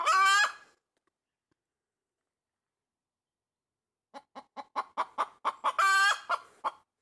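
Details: A pet chicken calls loudly from a tree branch, opening with a harsh drawn-out squawk, then after silence a rising series of short rapid clucks interrupted by another long strained squawk and a closing cluck.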